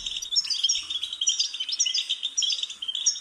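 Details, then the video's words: European goldfinch singing, from a recording made to prompt caged birds to chirp: unbroken, rapid, liquid twitter with tinkling high notes and short buzzy trills. "New Goldfinch Stimulation with Best Support your Bird will Chirp"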